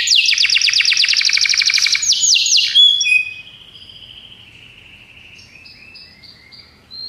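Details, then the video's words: Belgian canary song for training: a fast dense trill and a few falling whistles, then a long soft drawn-out whistle and quiet short notes. "treinamento para canário belga"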